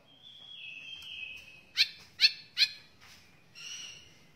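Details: White-rumped shama song from a tutor recording for training other birds: a long, level, thin whistle, then three sharp, rasping notes about a third of a second apart, and a softer buzzy phrase.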